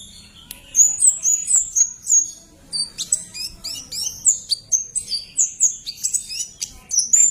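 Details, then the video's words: Bar-winged prinia singing shrill and lively, for provoking and tutoring songbirds: high whistled notes with quick down-and-up slurs, delivered in rapid repeated phrases interspersed with sharp ticks, steady throughout. "Kemade Keres Gacor"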